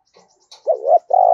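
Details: Decoy spotted dove calling to lure wild doves, giving low, smooth coos, a wavering note followed by a longer steady one, with faint higher sounds before.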